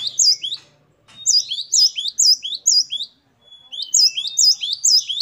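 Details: Great tit in varied, chatty song: repeated high hooked whistles in three phrases split by short pauses, with a faint low hum at the start.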